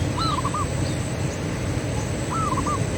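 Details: A local Zebra Dove recorded as a lure call for attracting and stimulating other doves gives its soft cooing phrase, a rising coo then quick trilled notes, repeated about two seconds apart over low steady rumble.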